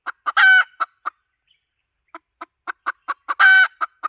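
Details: Hen call used as a lure, recorded 2023-2024: quick runs of short clucks, then a loud drawn, harmonic squawk near 0.4 s. After a pause of about a second, more evenly spaced clucks build to a second squawk.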